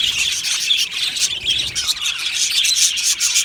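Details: Budgerigars chirping in an aviary colony: rapid, rasping high chatter with fast repeated clicks and tweets, and a few thin whistled notes near the end.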